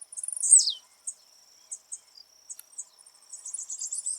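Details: A wild blue-black grassquit recorded live outdoors gives its 'de pulo' jump song, a brief accelerating ticking that ends in a loud, falling buzz. It is followed by sparse chips and the start of another rapid chatter, with an insect hum throughout.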